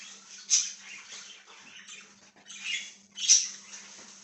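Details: Budgie chirping from 1/6/2023: three loud, sharp squeaky chirps stand out from a soft scratchy murmur, with a low constant hum behind.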